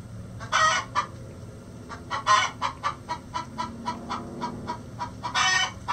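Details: Chicken egg song: a steady run of rhythmic clucks, about two per second, broken by three louder raspy squawks at the start, middle and end.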